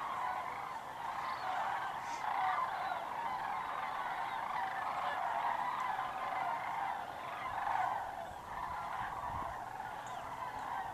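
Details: On southward migration through Georgia and Tennessee, many sandhill cranes circle low and close overhead: a dense, distant wall of rattling, bugling calls rises and falls steadily throughout.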